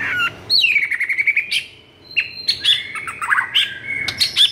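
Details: White-rumped shama singing agitatedly to spur silent shamas into song: a clear whistle sliding down into a quick run of repeated notes, followed by sharp clicks, loud upslurred whistles and fast varied phrases.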